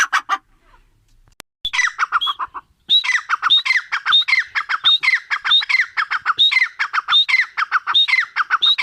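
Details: Grey francolin (teetar) gives a brief burst, then a gap, then a long series of strident phrases. Each phrase is a high whistle sliding into rasping lower notes, repeated rapidly and evenly.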